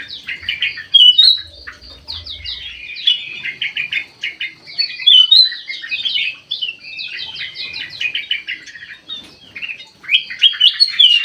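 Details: Bulbul singing busily inside an aviary: a bright, fast-paced twittering song made of short, sharply bent notes in repeated bursts, with brief pauses between the phrases.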